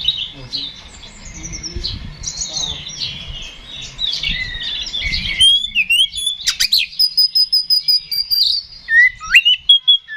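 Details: Oriental magpie-robin in loud fighting song, used to goad rival birds: busy scratchy chatter over low background noise gives way to crisp, evenly spaced short whistles repeated about every third of a second, then upward-sweeping notes.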